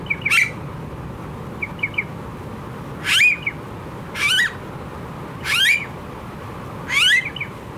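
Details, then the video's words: Very noisy Australian blue-faced honeyeater: soft triple chips followed by four longer harsh calls, each a strained squawk with wavering downward-bending tone, spaced over a second apart. "Australian Bird Calls - The Very Noisy Blue-faced Honeyeater"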